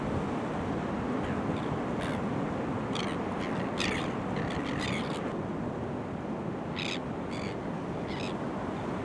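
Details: Kelp gulls along the rock platform at Boat Harbour, Kurnell, NSW, Australia, filmed in early September: scattered short harsh yelping calls in irregular bursts, some in quick clusters, over continuous crashing surf.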